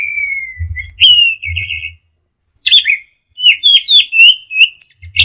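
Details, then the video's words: Singing orange-headed thrush, teler style: a long gently falling whistle opens, followed by warbled buzzy phrases and a quick series of bright rising and falling notes, over intermittent low bumping noise. "Suara Burung Anis Merah Teler"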